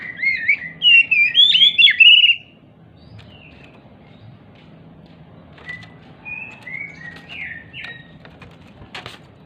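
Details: Oriental magpie-robin, an agitated, jumping bird, sings to lure silent magpie-robins into singing: a loud burst of sweet, warbled whistles for about two seconds, then softer scattered whistled notes over faint background hiss.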